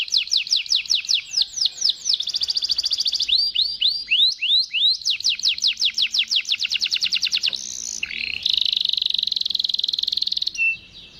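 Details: Waterslager canary delivering a long rolling song, with rapid repeated falling whistles, sustained buzzy rolls, a series of slower swooping notes, then more quick descending runs and a long, even high roll.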